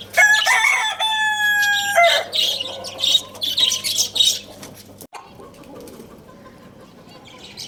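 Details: Lohmann Brown rooster at Lalukhet bird market crowing loudly in the morning: a strong, rich, ringing crow held for about two seconds, then busy chattering chirps from other caged birds, fading into a quieter stretch.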